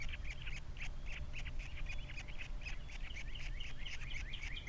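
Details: Captiva nest osprey with three young, February 2022: rapid chattering whistled chirps with rising and falling slurs, building toward the end, over low hum.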